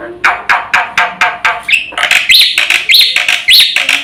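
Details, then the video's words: Lure and tutor recording of a black-winged myna in full song: loud regular rasping bursts about every quarter second, then clear upslurred whistles woven among the harsh notes. "SUARA BURUNG JALAK PUTIH GACOR FULL ISIAN"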